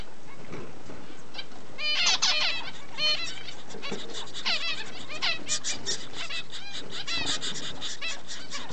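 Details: Double-barred finch raising chicks, recorded 4 June 2011: bursts of nasal, tinny calls in quick clusters, broken by brief pauses, over steady background hiss.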